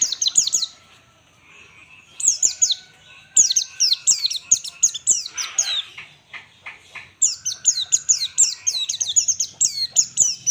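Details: White-eye singing in the ngalas style, a recording used as a master track for training birds: bursts of rapid, high, downslurred whistled notes, broken by a short pause and a lower buzzy interlude, then resuming.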